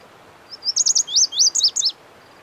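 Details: Song of a Lazuli bunting (Passerina amoena): a quick, lively phrase of about a second and a half, built from high slurred notes that swoop up and down and end in a few sharp downslurs.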